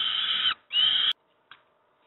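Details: Juvenile peregrine falcons begging as they receive breakfast at Moszna, Pruszków, Poland: two loud, harsh, drawn-out wails in quick succession, then near silence with one brief faint note.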